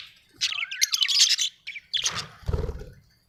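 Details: Budgerigars kept as pets at home, giving a quick run of scratchy high chirps and a brief whistled warble, followed by a rough, lower, noisy rustle near the end.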